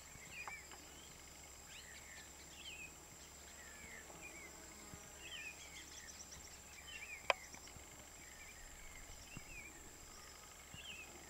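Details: Crowned slaty flycatcher at San Carlos de Río Negro, Amazonas, Venezuela, October 2012, gives thin, high, slurred notes in short bursts every two seconds or so, faint against background hiss and a high insect drone.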